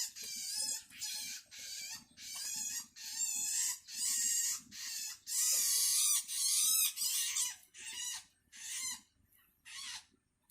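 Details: Hungry Long-tailed shrike chick calling its parent, vocal and learning to call: harsh, raspy, hissing bursts with a banded texture, each about half a second long, repeated roughly every seven-tenths of a second, with short gaps between them.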